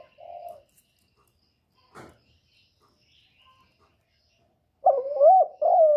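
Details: Spotted dove used as a lure bird to provoke wild doves, in a calling, cooing and urging series; a quiet short coo, a click, then loud rolling coos near the end, rising and falling in pitch.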